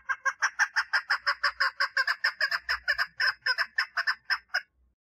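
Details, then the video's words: A female chukar partridge calls for mating with a rapid string of harsh, clucking notes, fairly loud and regular, fading out near the end, with faint low background rumble. "Female Chukar Partridge call - صوت الحجل أنثي - صدای کبک ماده"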